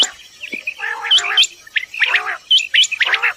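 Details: Common quail in the morning, Dera Ghazi Khan, Pakistan, giving quick high upslurred chirps mixed with rough, layered grating notes in short irregular bursts.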